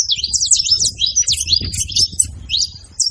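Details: Saffron finches together in a noisy group: bursts of sharp, high tweets and brief rising and falling notes crowd the first seconds, then thin out into scattered chirps near the end.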